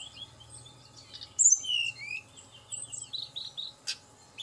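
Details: Tledekan gunung singing as a lure for quick song: a run of high thin whistles and slurred chirps, then rapid repeated twitters and a sharp click, over a low hum.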